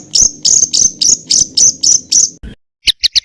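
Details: Songbird training material of rapid 'tembakan' phrases for contest birds like oriental magpie-robin: eight loud high chips with downward tails at an even pace, a cut to silence, then four quick shorter notes.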